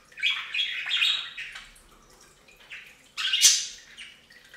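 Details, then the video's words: Budgerigars bathing on a fountain give scratchy warbled chatter followed by a loud, harsh squawk, with softer chirps trailing off. "Best Budgie Bath EVER! + Budgie sounds"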